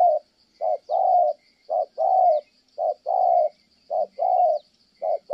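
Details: Kon Tum spotted dove in Vietnam giving good 'thổ' coos: a regular series of short-long throaty phrases, about one a second, loud and clear over a faint steady high buzz.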